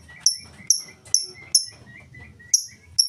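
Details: Lovebird singing ngetik-style with no ngekek, as a lure to get other lovebirds singing: seven sharp, shrill ticks at irregular gaps, roughly two a second, separated by softer mid-pitched chirps.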